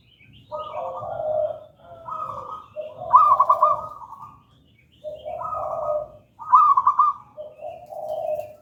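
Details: Zebra dove of local wild stock singing the gedang rojo style, played as a lure and master song for merbok trapping and teaching other doves; bubbling, vibrating coos in paired low and higher tones, several phrases separated by brief silences.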